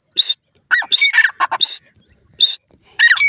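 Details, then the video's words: Grey francolin (irani teetar) giving loud, harsh, nasal notes in short bursts, some single and some run together in quick clusters, separated by brief silent gaps, with no other sounds in the background. "irani teetar beautiful natural awaz,natural voice of pheasant bird"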